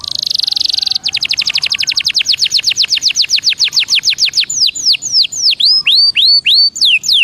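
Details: Belgian canary singing as warm-up song: a short buzzy roll, then a long series of falling whistled notes that start fast and slow down into wide swooping slurs.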